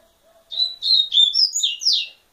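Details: The double-collared seedeater gives a compact song phrase of a few drawn-out whistled notes followed by quicker, brighter slurs that step upward in pitch before a final buzzy downward sweep.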